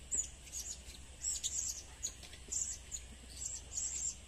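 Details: Lure recording of blue-crowned hanging parrot: thin, high-pitched twittering chirps, repeated irregularly in short clusters, against a steady low hum and faint background noise.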